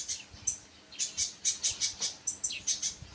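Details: High, thin chirps from a sunbird, about three per second in a steady rhythm, with a few brief, whistled, falling squeaks mixed in.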